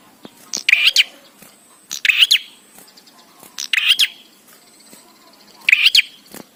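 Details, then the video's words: Repeated bar-winged prinia song meant to trigger singing in prinias: four sharp, twittering bursts with a rising flick, spaced one to two seconds apart, with soft ticking in the gaps. "Prenjak Gacor Suara Ampuh💯% BIKIN PRENJAK CEPAT BUNYI"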